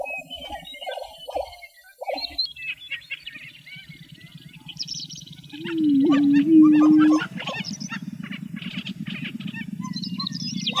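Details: Lesser prairie-chickens in Western Kansas give quick, hollow bubbling notes, then a loud, drawn-out low tone over a steady buzzy murmur, with higher chips and cackles in the background.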